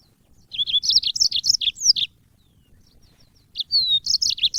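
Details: Twittering song of an African yellow-fronted canary, used as training audio for songbirds: a run of bright, rapid chirps ending in a drawn slurred whistle, then a brief gap and a second phrase opening with a falling whistle.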